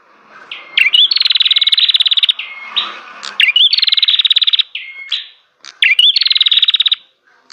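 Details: Bar-winged prinia singing three bursts of fast, metallic, pulsed trills roughly every two and a half seconds, each opened by a sharp upward whistle and followed by a brief flat note.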